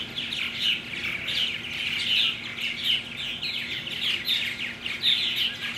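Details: A steady chorus of many purple martins, recorded June 17, 2009: overlapping gurgling, chirping calls from many birds at once, bright and fairly high, with a faint background hum.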